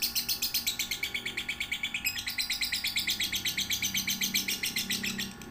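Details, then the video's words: Lovebird training song meant for young birds one to three months old: a fast, steady stream of sharp, high chirps repeated about seven times a second, with a low steady hum behind. "Masteran suara burung love bird paud 1-3 bulan"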